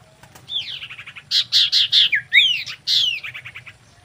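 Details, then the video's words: Common iora giving a lively, energetic song of sweet downslurred whistles mixed with quick chattering trills and sharp chirps, rapidly repeated, with a faint low hum behind. "SIRTU GACOR KAWIN BIKIN EMOSI SEMUA SIRTU/CIPOH GACOR!"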